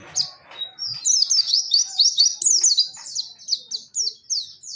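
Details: Pacitan Dakun white-eye in 'nembak' song, mixing 'mantenan' and 'zipper witwit' phrasing: a fast rattle of high, zigzagging chirps, about four notes per second, rising into a dense run before slowing into spaced, downslurred notes.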